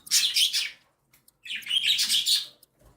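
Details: Two long loud rasping, hissy begging bursts from cockatiel chicks, newly hatched and one week old, being fed by their mother; each outburst lasts over half a second, separated by a short silence.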